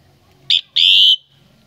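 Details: Common myna recorded at a family home during Tết 2018: one loud phrase made of a brief sharp whistle, then a longer, strong, steady whistled note that fades out, against a faint low hum.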